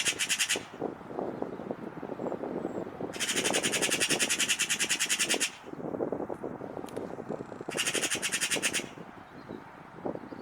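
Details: Eurasian magpie giving a harsh, dry machine-gun rattle in three bursts: a short one at the start, a long one of about two seconds, then a third. Rumbling low background noise runs throughout.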